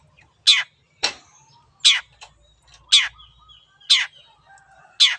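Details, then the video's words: Long-tailed shrike in vigorous song on a training recording meant to get a silent bird singing: loud harsh rasping notes repeated about once a second, with faint thin whistles between. "BURUNG CENDET GACOR YANG BISU JADI BUKA SUARA DAN IKUT BUNYI"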